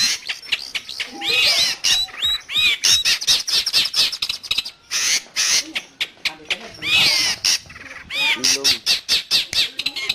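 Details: Long-tailed shrike singing, recorded for tutoring caged birds or luring wild birds: dense bursts of harsh, scratchy chatter alternate with brief looping whistles, in rapid continuous phrases with short pauses.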